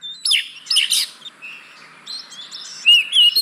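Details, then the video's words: Oriental magpie-robin song used as a lure to coax reluctant caged birds into singing: loud scratchy bursts mixed with whistled notes, a quieter pause, then clear sliding whistles return near the end over faint background hiss. "Pancingan Burung Kacer Yang Malas Bunyi"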